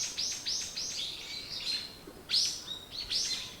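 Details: Morning birdsong: a bird sings a fast series of high, bright, downward-sweeping chirps, about four in the first second, then a louder pair of notes after a short pause.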